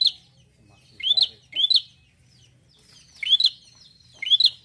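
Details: Gacor Bar-winged prinia uttering a few crisp rising chirps in twos, with quiet gaps between, over a soft low rumble.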